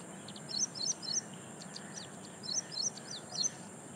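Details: Loud calling of an ashy prinia in reed beds at Powai Lake, Mumbai, 1 October 2022, recorded with a directional microphone: high, bright notes given in quick groups of three, two bursts separated by a short pause, faint hiss behind.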